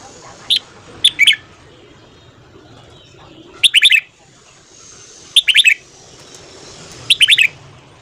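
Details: Lively red-whiskered bulbul morning song: brisk phrases of three to five bright, tumbling notes, about one phrase every two seconds, clear against quiet background noise.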